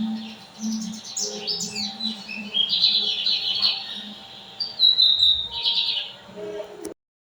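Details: Lined seedeater song: quick chirpy warbled phrases and squeaky notes, louder toward the end, over a steady low hum.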